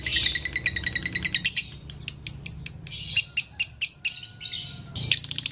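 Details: Konslet song of an energetic lovebird, recorded to teach other lovebirds: a rapid chattering burst gives way to spaced, strident chirps, then another quick flurry at the close.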